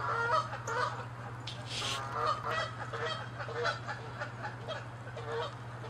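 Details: Fighting Canada geese chasing each other, loud honks crowding the opening seconds, a harsh hissing burst near two seconds, then steady overlapping honking that eases off.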